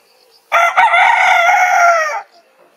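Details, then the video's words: Morning rooster crow: a single loud, sustained crow lasting about 1.7 seconds, rich in harmonics and steady in pitch, starting with a short stutter, against a quiet background. "Rooster Crows - For Wake You Up"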